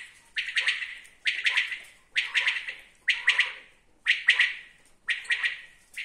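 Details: Common quail calling steadily, crisp triple-pulsed phrases like a rapid 'wet-my-lips' repeated regularly about every 0.9 seconds, six phrases in a row on a quiet background.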